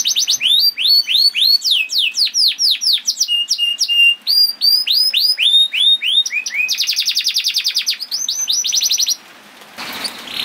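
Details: Canary in full song, meant to get other canaries singing: rapid series of swooping whistled notes, varied trills and a long fast rattle near the end, then a brief noisy burst.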